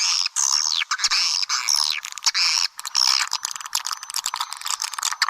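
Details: Swiftlets in a lure call used to attract swiftlets: dense, overlapping buzzy chirps and twitters, some sweeping down, packed closely with short gaps and sharp clicks throughout.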